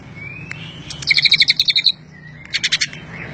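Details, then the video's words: Greater green leafbird (cucak ijo) singing with Cililin-style fill-in phrases: a faint rising whistle, then a quick run of about ten bright, sharp chattering notes, a pause, and a shorter burst of four similar high notes. "Cucak Ijo isian Cililin"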